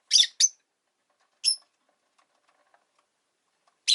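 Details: Five rosy-faced lovebirds in a cage beside a window, chirping in winter: two harsh, high chirps, a single clipped chirp, then silence before a final raspy burst.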